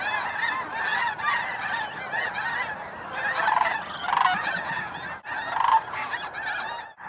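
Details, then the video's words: Snow geese on a December 2009 sunset or sunrise at Bosque del Apache refuge, New Mexico wetland, giving bursts of barking honks in waves, swelling and easing, with a brief drop near the five-second mark. "Snow Geese Sunset and Sunrise"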